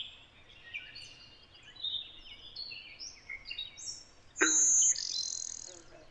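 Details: Blue-winged warbler singing in Connecticut, an area of frequent hybridization with Golden-winged Warblers: one loud, high, flat buzz near the end, after a busy chorus of other songbirds' twitters.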